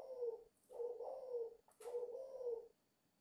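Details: Spirited cooing from a dove aged five months: three low, rolling coos, the middle one longest, separated by short gaps, with a faint higher flutter at the break.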